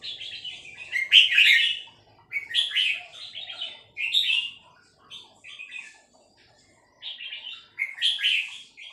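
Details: Female red-whiskered bulbul singing in the three-syllable song style: short bright warbled phrases, chirpy and slightly buzzy, given in bursts about every second with brief pauses between them.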